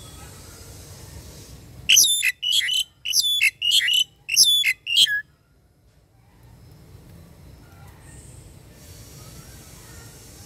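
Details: A long-kept captive Asian pied starling, said to be able to talk, gives six loud, harsh whistled notes in quick succession over about three seconds as a flock call, followed by quiet background hiss.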